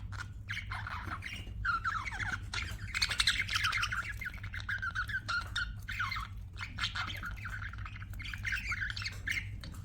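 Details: Several budgerigars chatter together in a continuous, dense warble of rising and falling whistled notes, quieter and blended with a low background rumble.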